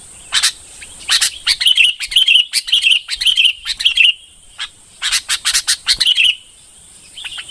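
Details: Red-whiskered bulbul giving a rhythmic string of liquid whistled notes about twice a second, pausing, then a second short bout; steady high hiss in the background.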